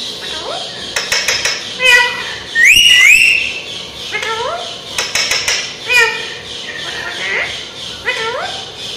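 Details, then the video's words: Talkative ringneck parrot speaking phrases such as Aslam Alaikum and Allah ho: rapid chattering syllables with rising and falling tonal whistles, a loud sweeping squawk near three seconds, in a small room with background voices. "Pablo Parrot say Aslam Alaikum/Allah ho/lailah lailah/Kon aayaa bolne Wala Parrot tota"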